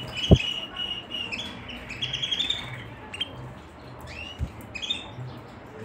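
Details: Canary singing: drawn-out, steady whistled notes near one pitch, then a rising buzzy phrase and short upswept chirps, with two sharp knocks in a quiet room.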